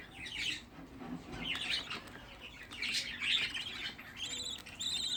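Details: Sixteen hand-kept budgerigar chicks at home: bursts of soft, grainy chirping in clusters about a second apart, followed by a few clearer, higher stacked whistled notes near the end.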